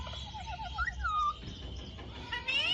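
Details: Alexandrine parakeet mimicking speech with a quick string of short wavering notes, a clear falling whistle, then a pause before a higher rising harmonic phrase, low hum underneath.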